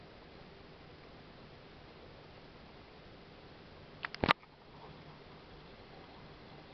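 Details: Steady quiet room hiss broken once, near the four-second mark, by a brief cluster of sharp clicks or knocks, with no animal voice heard.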